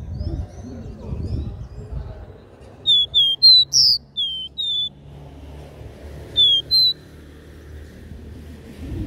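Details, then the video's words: Capped seedeater giving the three-note regional 'dó ré mi' song: a series of clear high whistled notes, some slurred upward, delivered in a burst of six then a pair a few seconds later, against faint low background noise. "CANTO DO CABOCLINHO DÓ RÉ MI 3 NOTAS REGIONAL"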